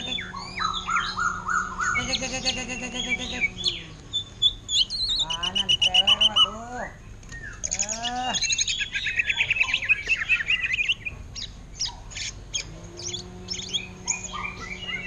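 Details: Caged greater green leafbird singing in the loud ngentrok style, imitating an orange-headed thrush; varied phrases of sliding whistles, rapid chattering trills and descending notes, interrupted by a low, buzzy harmonic bleating sound.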